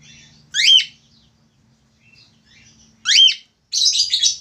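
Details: Male Australian finch singing actively and loudly: two sharp, high, downslurred chirps about two and a half seconds apart, then a dense buzzy burst of notes at the end, with faint soft twitters and a low background hum.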